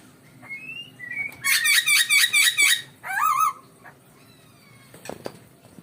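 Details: Masked laughingthrush mating call, used to raise breeding drive: a thin rising whistle, then six loud, harsh, rasping notes in quick succession, followed by a wavering, rippling whistle. Faint clicks come near the end.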